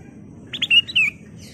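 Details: Sooty-headed bulbul song used as a lure to make other birds agitated: one short bright phrase of slurred, liquid whistled notes, rising then falling, over a faint low hum.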